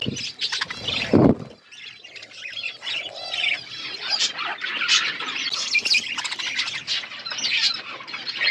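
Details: Wild parrots squawking and chattering in a busy, overlapping flock, harsh rasping notes mixed with thin squeaks, after a short low thump near the start.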